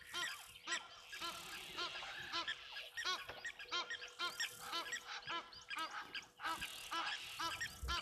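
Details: Several Egyptian geese at a waterhole in live footage on 15 January 2024, agitated as birds are stirred up, possibly by a brown snake eagle nearby. Loud harsh honks come in overlapping bursts throughout, over a steady low hum.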